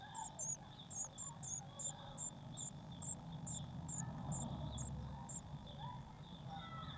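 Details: Eurasian blue tit at a garden nest box on 19 May 2019, in real time, with a feeder stocked with waxworms nearby. A fast, even run of thin, very high notes repeats over a low rumbling background.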